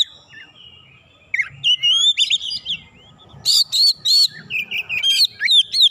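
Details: Oriental magpie-robin singing to provoke a rival into song: varied clear whistled phrases, some rising and some slurred, with sharp high notes, delivered in short bursts after a quiet start, with faint low rumbling behind.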